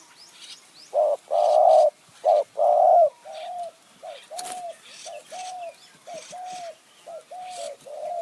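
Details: Spotted dove used as a decoy to lure wild doves in high mountain forest near Kanchanaburi, Thailand, with calling styles known locally as khu-ang and nun-ang. Loud mellow coos, two long booming notes, then a quicker run of shorter coos.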